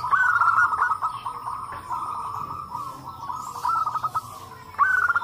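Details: A chorus of local zebra doves whose calls answer each other, meant to prompt other doves to call. Dense, continuous trilled cooing with short bursts of rapid pulses near the start and end.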